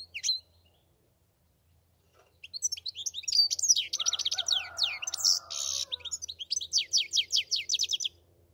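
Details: Goldfinch song opening with a lone note, then a long run of quick chattering twitters, a short nasal buzz, and a steady string of sharp repeated high notes toward the close.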